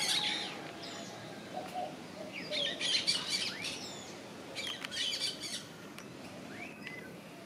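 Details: Yellow-chevroned parakeet giving shrill, high chattering screeches in clustered bursts at about three and five seconds, over a steady hiss of background noise.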